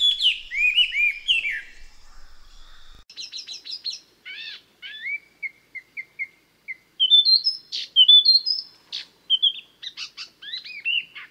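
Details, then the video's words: Varied song of a chestnut-eared laughingthrush: sweeping whistles, then quick stuttered chip clusters, a string of short repeated notes and rising fluty phrases, with clean gaps between bursts. "Tiếng Chim khướu Konkakinh. Garrulax konkakinhensis"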